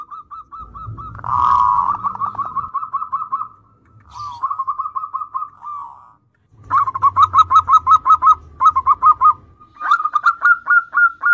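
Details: Zebra dove (perkutut) song in full voice, used as a lure to spur young zebra doves into singing: several bursts of rapid, stuttering coo notes at a mid pitch, separated by short pauses, with low thumping noises underneath.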